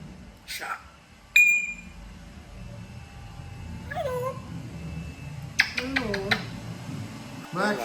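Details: Pet African grey parrot, female, indoors in a small room, imitating words and calling the household dog; short tonal whistled notes and a rising sweep, then voice-like harmonic bursts, with people saying hello nearby.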